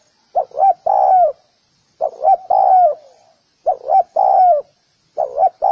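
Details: A spotted dove, recorded cleanly for training birds, gives four phrases. Each has a couple of quick, bouncing notes and then a sustained mellow coo dropping in pitch, with short pauses between.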